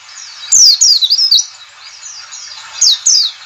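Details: White-eye calling in the ngalas style, meant to coax other white-eyes to open their beaks and sing: a fast run of high, descending, slurred whistles, a pause filled with soft chatter, then two more loud downward notes.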